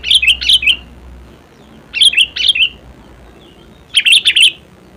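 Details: Sooty-headed bulbul song in its natural voice: three cheerful bubbly phrases of quick, fluty, warbled notes, spaced roughly every two seconds against a quiet background.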